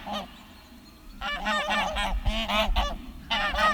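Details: Guard geese on a farm pasture after a fight with two wild Canada geese, one with a white head: a soft honk, a pause, then a long run of loud overlapping honks with low thumps and rustling.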